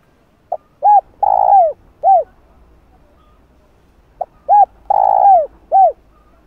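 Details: Spotted dove giving calls used to lure wild doves. Two phrases, each a small pip, an arched coo, a long grating coo sliding down at its end and a last arched coo, separated by a silent stretch.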